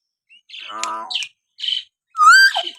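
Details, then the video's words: Common hill myna giving natural whistles meant to stir pet mynas into singing: nasal, harsh calls, then a loud rising whistle with rich overtones. "masteran burung beo suara siulan alami"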